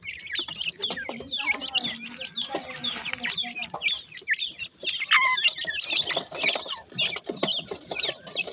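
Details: Grey francolin chicks fresh from the egg cheep for their mother, a busy stream of sharp, high downslurred peeps from several birds at once, growing louder and denser partway through.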